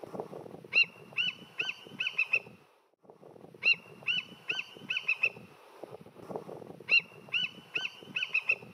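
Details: An immature bald eagle, recorded at high zoom from a kayak and looped, gives high, thin piping notes in a quick stuttering series of five or six, repeated about every three seconds over a low rumbling background.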